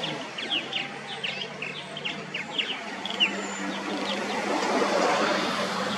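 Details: Male Purple Martin at a colony in Atascadero on 4 May 2021 gives a run of quick, gurgling, croaky chirps for about three seconds; a low rushing noise, like wind or distant traffic, then swells.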